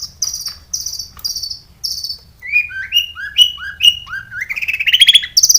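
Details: Long-tailed shrike lure song with a full mimicry fill: high buzzy trills, then a series of short whistled notes that rise step by step, ending in quick high repeated notes.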